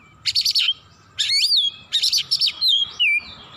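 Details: Oriental magpie-robin singing in an agitated, worked-up state, unloading its full repertoire: two bursts of rapid buzzy trilled notes separated by clear, sliding whistled phrases that swoop up and down, delivered in quick clusters.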